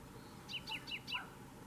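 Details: Canary Islands subspecies of common chaffinch recorded in June at Fontanales, Gran Canaria: one short phrase of four clear, quick downward-slurred notes, ending in a lower note, over faint low background hum.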